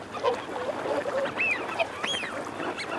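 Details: Eurasian wigeon flock with males and females: low grumbling and growling notes early, then a short whistle and one sharp rising-falling whistle near the end amid steady flock murmur.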